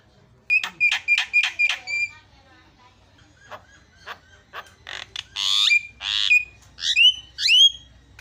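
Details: Javan myna song played as a lure for a silent myna: four loud ringing harmonic notes, softer clicking chatter, then a harsh rasp and two rising, upslurred whistles.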